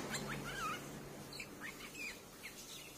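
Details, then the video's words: Streak-eared bulbul calls played to lure birds: a short slurred whistle, then scattered quick chirps every half second or so, bright and brief, with low background hiss. "เสียงนกปรอดสวน เสียงต่อปรอดสวน"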